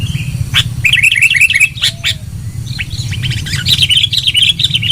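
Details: Sooty-headed bulbul lure recording, loud: quick chattering notes in a rapid string, pausing briefly, then resuming as a fast warbling run, with low rumble behind.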